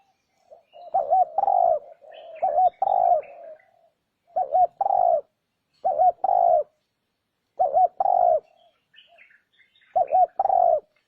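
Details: Lure calling of a spotted dove meant to draw in wild birds: soft, hollow coos in repeated phrases of two short looped notes and a drawn-out descending note, five or six phrases with brief pauses.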